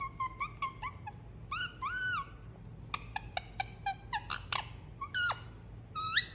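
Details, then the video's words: Cuddled pet Indian ringneck parakeet giving soothing sounds: a series of short harmonic squeaks, arched whistled notes, then rapid clicky chirps and sharp falling squeaks, steady chatter over about six seconds indoors. "Cute Pet Parrot Enjoying Cuddle And Making Soothing Sound"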